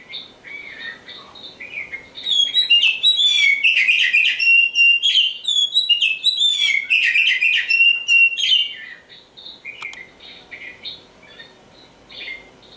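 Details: Kacer Hitam, a black oriental magpie-robin described as a future champion songbird, delivering a rich, varied song of sweet whistles, trills and sharp chirps in a loud burst of about six seconds, with softer phrases before and after.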